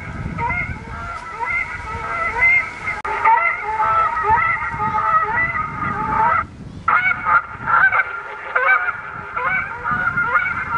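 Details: Canada geese give a dense chorus of harsh, nasal honks, overlapping about once a second with a brief lull midway: a recorder in San Francisco botanical garden plays coyotes and distressed geese every five minutes to deter the geese.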